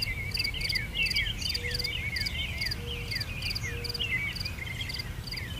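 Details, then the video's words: Birdsong from an English garden: many short, bright, sliding chirps tumbling over each other, joined by fast buzzy ticking pulses and a continuous low background hum. "Bird song sounds"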